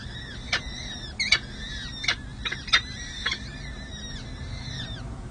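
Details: Four young peregrine falcon chicks call at the San Jose City Hall nest as a parent feeds them, May 2024. Wavering, high whistled squeaks run together, while sharp clicks and knocks come roughly every half second over a low hum.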